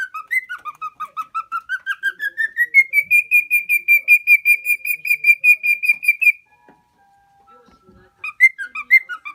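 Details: Tame pet cockatiel of the lutino colour, a four-year-old male in Minoh, Japan, whistles rhythmic notes rising gradually to a sustained high level, pauses, then resumes with short varied phrases.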